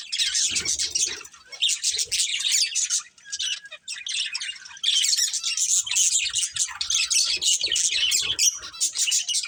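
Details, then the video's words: Breeding pair of budgerigars keeps up steady, rapid, high-pitched chirping and chattering, with a brief lull near the middle. "Cute Budgies Chirping Sounds"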